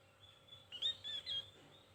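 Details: Javan white-eye with thin chirping: three short, high, sharp notes in quick succession, each a bright whistled slur, after a quiet start with faint background hum.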